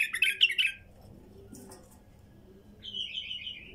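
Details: Wild female bulbul: a loud, rich burst of chattering song opens, then a pause, then a clear descending warbled phrase closes.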